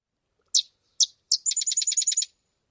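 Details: Sedge Wren, a marsh bird of Maine wetlands that builds globular nests in cattails: three dry, high chips about half a second apart, then a fast staccato chatter of about ten notes lasting under a second.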